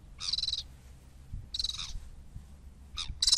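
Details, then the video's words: Sabine's gull calling with short grating, buzzy rasps, two spaced calls followed by quicker clipped notes near the end, with a low background rumble. "La Gaviota de Sabine"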